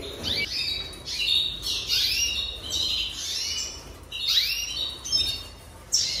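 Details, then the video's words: Jaspe canary delivering high, sweeping whistles and quick chirping runs in repeated bursts, some phrases falling steeply in pitch, with short pauses between. "Chant Canari Jaspe"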